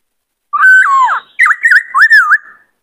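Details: Caged white-cheeked laughingthrush, a singing bird kept for training, delivers a rich whistled phrase: a level note sliding down, then three looping, wavering whistles close together, clear and loud in a quiet indoor setting.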